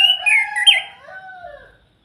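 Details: Orange-headed thrush from Salatiga giving its kretekan call, used to provoke other birds into singing: a loud, harsh, layered burst with rising and falling overtones, then a softer, lower drawn-out note fading after under two seconds.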